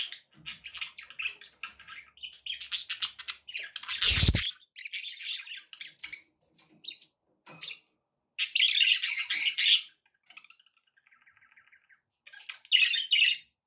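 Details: Busy, rasping budgerigar chatter runs almost without a break, with one loud thump of background noise, a softer trill, and more bursts of harsh twittering.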